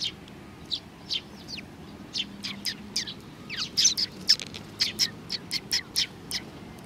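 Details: Young and adult sparrows recorded 27 June 2019 chirp busily. Sparse high tweets build into a rapid, near-continuous run of sharp chirps in the second half.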